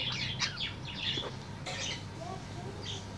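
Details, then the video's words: Afternoon song of a tame budgerigar: a burst of quick high chirps and scratchy warbles, then scattered softer chirps with a low steady hum underneath. "SUARA PARKIT"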